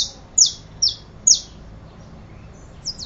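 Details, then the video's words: Saffron finch giving three loud, high, downward-sweeping chips about half a second apart, followed by a pause and two fainter notes at the end. "Canario da terra"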